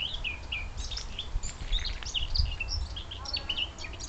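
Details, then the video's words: Wild birds on the outskirts of Munich in Bavaria chirp busily, one especially vocal: quick high tweets and short slurred notes follow one another almost without pause, over a constant low rumble from the surroundings. "Bavarian Bird Song"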